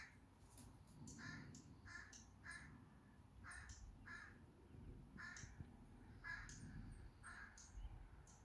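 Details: Birds in an evening chorus giving rough, repeated harsh calls roughly every half second to second, with scattered high thin chirps above and a steady low-pitched background rumble.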